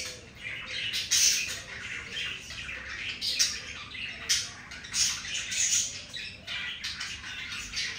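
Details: Pet budgies breeding, recorded during mating; harsh squawky chatter in pulses, bright chirps and scratchy notes, louder bursts roughly every second.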